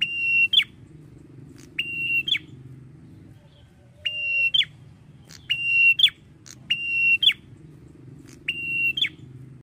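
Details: Male prinia called prenjak kepala merah singing eagerly and long: seven bright, evenly pitched whistled phrases with a snapping end note and buzzy clicking above, delivered in quick succession over a steady low hum.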